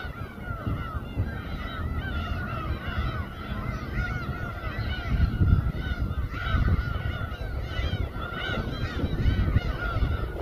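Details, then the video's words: Harbour gulls at Samgilpo, Seosan, Korea, chorusing above a boat where fish is prepared; a constant tangle of shrill, bending cries with a steady engine-like rumble underneath. "회뜨는 선상 갈매기 합창"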